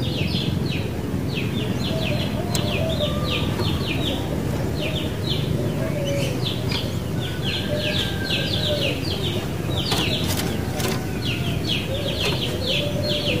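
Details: Sooty-headed bulbul chatter: busy, overlapping bursts of short, high chirps repeated throughout, a few faint lower whistled notes between them, against a steady rumbling background noise.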